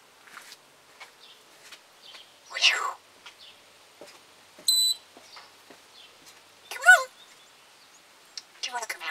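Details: Pet African grey parrot talking indoors on 24 July 2021, mixing speech-like syllables with sharp whistles, clicks and squeaky chirps spread over several seconds.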